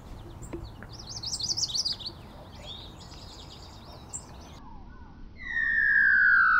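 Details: A warbler with an unusual call, suspected to carry a little golden-winged warbler blood, gives a quick, high twittering burst, then loud, clear whistled notes that slide downward, over a steady outdoor hiss.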